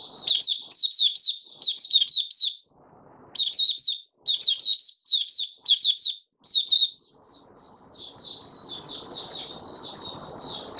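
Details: Caged oriental white-eye in open song on the fifth day after its monthly deworming, 20 January 2022: rapid high twittered phrases in bursts, a short pause near three seconds, then a continuous chattering run over faint low background noise.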